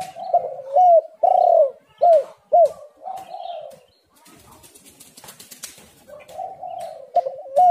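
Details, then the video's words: Spotted dove coos played to draw doves into calling: several loud, bent coos in a row, a rustling, flapping interlude, then renewed mellow cooing at the close. "tekukur super gacor"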